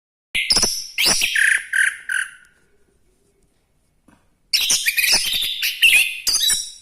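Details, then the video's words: Orange-headed thrush singing vigorously: two bursts of fast, high, varied chirps and trills, the first about two seconds long and the second after a silent pause, rich and busy. "anis kembang gacor"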